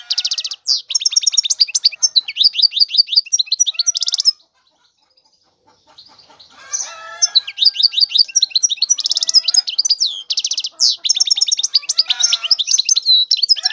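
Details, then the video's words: Song of a European goldfinch, a continuous run of bright, high chirps and tinkling twitters with buzzy trills, broken by a near-silent pause of about two seconds before the bird resumes the same rapid, jangling phrases. "تغريد الحسون هو اجمل صوت العصافير"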